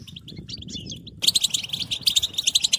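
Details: European goldfinch stimulation chatter: a few soft, liquid chirps, then after an abrupt cut a loud run of bright, ringing twitters repeated several times a second, with a low background murmur.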